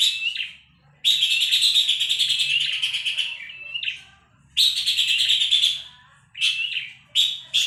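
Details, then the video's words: Tutor recording of a Horsfield's babbler: loud, rasping, rapidly pulsed chatter in three long bursts, with short clipped notes between them and two brief harsh bursts closing the sequence. "Pelanduk Semak cocok untuk masteran burung Cendet dan Murai Batu"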